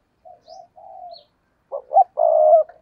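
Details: Spotted dove used as a decoy to attract wild doves, cooing loudly and close: soft hooted notes, a drawn-out coo, then a pause before stuttering notes and a strong, sustained final coo.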